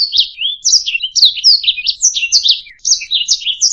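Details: Short burst of canary song, intended for tutoring other birds: rapid chirped and slurred notes in tight rolling groups, one brief pause near the end before the twittering resumes.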